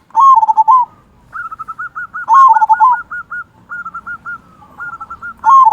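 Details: Zebra dove of local stock, singing actively with a big 'kung' voice, used to prompt quiet doves to sing: loud rolling coo phrases alternate with long runs of quick, even, softer cooing notes.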